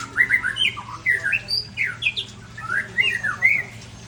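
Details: Large-bodied white-rumped shama from Ujong Pancu in Aceh giving short, harsh, squawky slurred notes in quick bursts, some rising and some falling, spaced by brief gaps, with a low steady hum behind.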